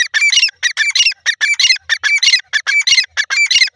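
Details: Grey francolin (dakhni teetar) calling: loud, harsh, rhythmic notes repeated in quick bursts of two or three, roughly ninety-four per minute, with a bright squawking edge and no other sounds.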